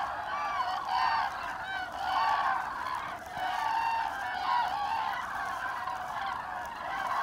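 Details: Common Cranes calling in flight during autumn migration, 25 October 2021: bursts of loud, overlapping trumpeting notes rise and fall in waves above a constant background murmur of more distant flock calls.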